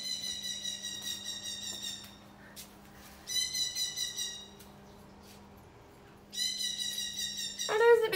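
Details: A pet conure gives three bursts of loud, shrill, ringing screams about two seconds apart, the kind of excited screaming it gave whenever its owners got home, with a person talking and a low steady hum underneath.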